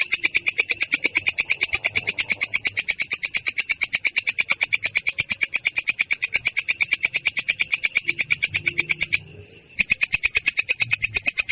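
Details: Long-tailed shrike in rolling song with a clear yet harsh voice: rapid, even train of rasping, high-pitched notes about three per second, continuous for nine seconds, then a short pause before the rolling resumes.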